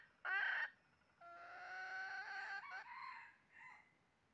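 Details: Red junglefowl calling at a trapping site, 20 January 2023: one loud brief burst, then a longer, softer, strained crow with steady tones that breaks into a few trailing notes.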